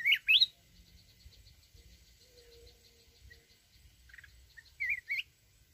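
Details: Mountain red-whiskered bulbul singing in wild forest style. Two quick bubbly warbled phrases open the recording and a rising, twisting pair follows near the end, with a faint steady high buzz between them.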